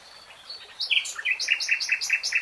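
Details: Common nightingale song: a few introductory whistled and slurred notes, then a rhythmic series of about eight identical loud, sharp double notes repeated quickly and evenly.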